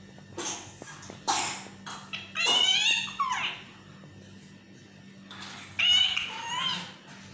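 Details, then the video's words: Pet yellow parrot in a talking mood, indoors: a series of short harsh and squeaky calls with wavering, speech-like tones around a second long, separated by pauses, over a steady low hum. "Peeko is talking parrot || Peeko in his talking mood🦜"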